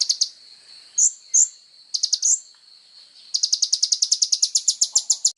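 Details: Kolibri ninja sunbird in full song, used as tutor material for songbirds: a few high piercing chips and a short trill, then a long steady run of rapid buzzy notes filling the last two seconds.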